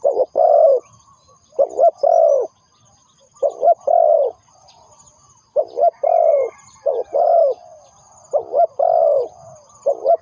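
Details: Spotted dove used to lure others into a trap, repeating mellow, throaty coo phrases of two or three notes with brief pauses between groups, against a faint high background hiss.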